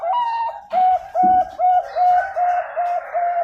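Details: Zebra dove of the Bangkok ring line, bred at a bird farm in Pasuruan, East Java, Indonesia, 2021. Its song is a run of clear, level mid-pitched coos, about seven quick evenly spaced notes after a brief opening phrase.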